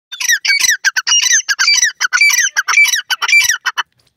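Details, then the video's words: Grey francolin, known locally as dakhni teetar, giving a loud, harsh, rapid run of buzzy, ringing notes. The notes are closely spaced and uneven, about two each second, over roughly four seconds before stopping abruptly, against a quiet background. "grey francolin voice,dakhni teeter ki full awaaz"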